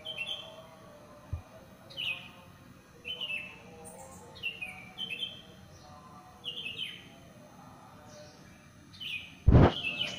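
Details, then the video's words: Bird in a housing complex after the dawn prayer, repeating short descending whistled chirps roughly every second, with a sharp loud knock near the end over low hum. "SUARA BURUNG"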